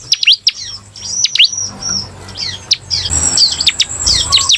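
Bar-winged prinia gives a rapid run of sharp, high chirps and quick sweeping notes, closely spaced and bright, over a faint background hiss.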